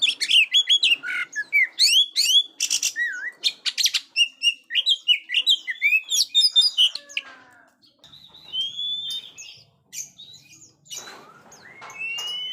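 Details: Oriental magpie-robin in energetic song, played to train young birds that are still silent: fast varied whistles, sweeping slurs and chattering notes, then slower drawn-out rising and falling whistles.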